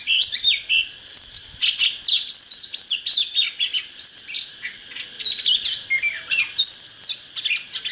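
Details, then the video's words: Oriental magpie-robin in vigorous song for rousing birds to fight wild decoy birds: long continuous medley of bright whistles, trills and sharp downslurs, varied phrase after phrase, with a faint steady high whine beneath. "Chích chòe than HÓT HAY"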